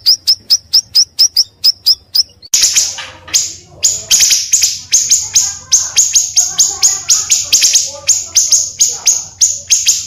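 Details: Pancawarna bird used for luring birds and tutoring songbirds: an even run of clipped high notes gives way to louder, harsher chirps delivered in rapid, tumbling bursts.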